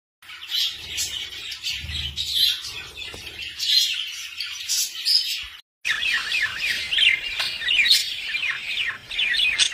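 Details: Budgerigar warbling with continuous scratchy chatter and zigzagging warbled notes, loud and busy, broken by a brief silence midway before resuming with rapid rising-and-falling chirps.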